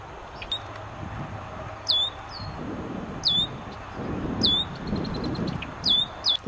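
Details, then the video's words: Red-winged Blackbird near a nest woven into cattails holding four eggs, giving sharp, high, down-slurred call notes, single or in quick pairs, every second or so, over a low outdoor rumble. "Red-winged Blackbird Nest, call, sound"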